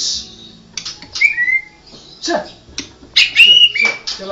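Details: White-rumped shama of the Murai Medan blorok type giving sparse clear whistles, short level and slightly rising notes between sharp clicks, with quiet gaps between phrases.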